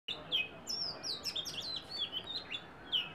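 An Oriental magpie-robin sings a rapid, varied run of high, sweet whistles and chirps, several notes each second, over a faint background hiss.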